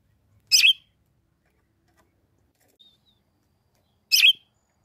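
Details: Summer in the sertão caatinga, northeastern Brazil: a female red-cowled cardinal gives two bright, clipped chirps roughly three and a half seconds apart to stimulate the male, with a faint thin note between.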